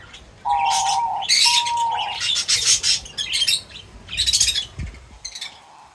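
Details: Birds feeding: two steady mid-pitched whistled tones open, followed by loud bursts of harsh, high chirping and squawky chatter in uneven clusters.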